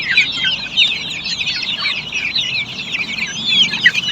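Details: Flock of black Australorp chickens on a poultry farm giving a constant mass of thin, high cheeping notes, many birds calling at once in rapid, overlapping bursts.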